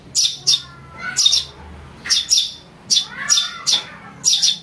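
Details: Young Eurasian tree sparrow giving a lure call used for trapping and tutoring birds: about a dozen shrill, scratchy chirps, often in quick pairs, repeated steadily across almost five seconds over a quiet background.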